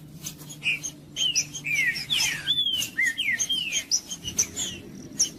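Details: Green-winged saltator (trinca-ferro) song used to stir up a quiet bird: clear whistled notes sliding down from high to mid pitch in quick bursts, some overlapping, with faint high chirps and a low steady hum beneath.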